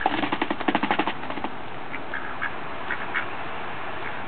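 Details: Two male mallards, returning each spring to a neighborhood, begging for birdseed at a back door: a quick burst of about ten harsh, nasal quacks in the first second and a half, then a few softer, scattered calls.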